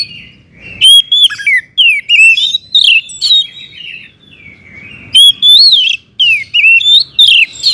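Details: Oriental magpie-robin (kacer) singing loudly in a varied, energetic run of whistled slurs and sharp chirps, two dense bursts separated by a quieter pause, used to provoke other magpie-robins into singing.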